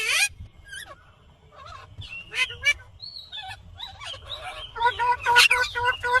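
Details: Green Indian ringneck parrot: a loud rasp at the start, scattered squawks and a sustained whistle, building into a rapid series of honking, harmonic calls at the close.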